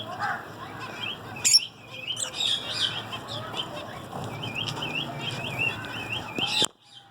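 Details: Zebra finches sing in a rapid series of small curling, slightly nasal notes. The series is broken by a loud click near the start and ends in an abrupt thump followed by near silence.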